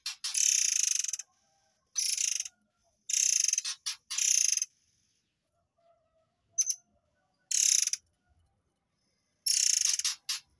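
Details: Murai air tembakan recorded as tutor material for white-rumped shamas: repeated loud harsh, finely pulsed rattling bursts of up to a second, separated by short silences and occasional sharp single chips.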